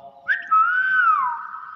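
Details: Common hill myna imitating human speech, saying "bakpao": a brief rising onset jumps into a sustained, clear, whistle-like tone that bends gently up and down before trailing off, all in under two seconds, in a quiet setting.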